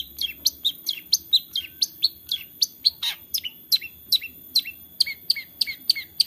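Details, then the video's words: 'Toet toet' style filled song of a long-tailed shrike, Central Java, Indonesia, taped on an Android phone: quick high downslurred notes mixed with a few harsher bursts, delivered in a steady fast stream of around three per second. "TOET TOET CENDET GACOR ISIAN untuk pancingan cendet malas bunyi JADI LEBIH NGOTOT DAN GACOR"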